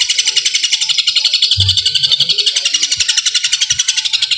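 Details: A long-tailed shrike keeps up its extended fighting song with imitated sparrow bursts, all in one breath. Shrill, rasping notes repeat in a regular fast series, roughly three per second, with a brief low thump midway.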